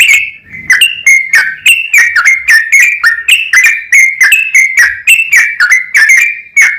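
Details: A yellow-vented bulbul pours out a long, rapid song as a lure to stir other bulbuls into singing; clear, liquid whistled notes bounce up and down in a steady, unbroken chatter, with faint low rustling early on.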